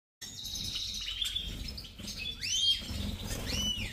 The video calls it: Carduelis Carduelis Major